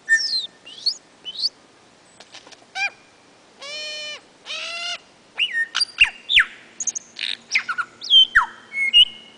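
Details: Wild male lyrebird singing loudly from his display mound among ferns at Sherbrooke in the Dandenongs, Victoria, Australia, April 2008; a rapid, varied medley of sharp chirps, stacked ringing notes, sweeping whistles and clicks, each phrase different from the last.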